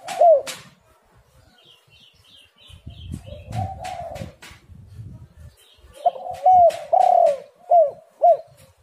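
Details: Spotted dove cooing, in a recording used as a lure to get other doves calling. Soft low coos open the clip, then a rapid run of loud, hooked, mellow coo notes near the end. Faint high chirps and low rumbling noise sit underneath.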